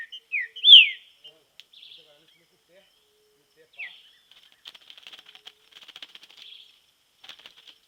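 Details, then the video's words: Green-winged saltator in training out in nature: a few loud, clear whistles slurring downward open the phrase, then a long stretch of soft, scratchy twittering follows. "TRINCA FERRO TREINAMENTO NA NATUREZA"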